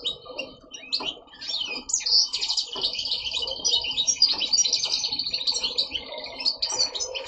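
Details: A captive male European goldfinch, which sings all day and stops only in the dark, sings a fast, continuous run of bright, liquid twitters and tinkling notes, with a faint low hum in the room behind it.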